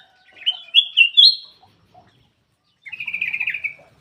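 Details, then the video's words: Ruby-throated bulbul producing three loud, slurred whistled notes in quick succession, a short silence, then a buzzy, rolling trilled phrase lasting under a second. "SUARA BURUNG CUCAK EMAS \ KUTILANG EMAS"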